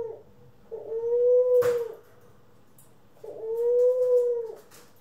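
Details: Two long, steady, gently arched coos, each lasting over a second with a quiet gap between, from indoor pet doves (Ringneck, Senegal and hybrid) on April 25, 2021; a short knock sounds during the first coo.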